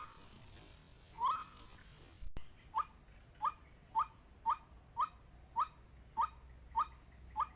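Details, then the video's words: Trapping-lure playback of a white-breasted waterhen: after a brief noisy start, crisp rising notes come at a steady pace, about two per second, with a faint high hiss. "Pikat hanya menggunakan MP3 suara ruak-ruak"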